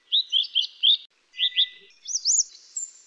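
A minivet sings sweet, high, arching whistles in quick bursts of two to four notes, each phrase pitched slightly differently, with no other sounds.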